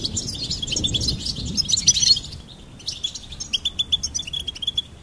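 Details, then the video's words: Goldfinch chirping for bird stimulation: a busy twittering warble at first, a short pause, then a string of evenly spaced high chirps, roughly four per second. "Charming Goldfinch Peep Fun for bird stimulation birds chirping"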